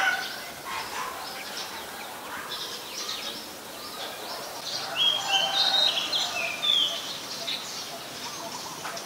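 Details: Several adult chestnut-headed bee-eaters (Merops leschenaulti) in Ubon Ratchathani, Thailand, on January 4, 2020, give quick, high chirps and short rolling trills, overlapping in a steady busy chatter.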